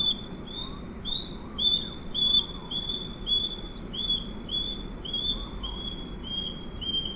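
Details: Wild Osprey (Pandion haliaetus) giving a long run of piercing whistled 'cheep' notes, closely spaced and slightly uneven in rhythm, with faint higher overtones above a steady rushing background noise.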